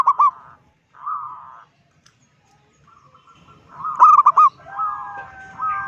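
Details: A local zebra dove with a big voice gives short stuttered coos and brief trills, used to provoke other zebra doves. A quiet pause comes midway, and a steady two-toned whistle closes the passage.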